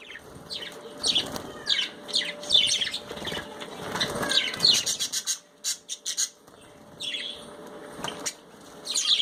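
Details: Budgerigars chattering during a bath: irregular high chirps and squeaks come in clusters, with heavy splashing and wing flutters between them.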